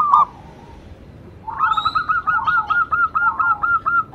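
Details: Zebra dove of local stock (perkutut lokal), played to stimulate other doves to sing. After a lone short coo and a pause, a fast, steady run of bright, clipped, evenly spaced notes continues to the end.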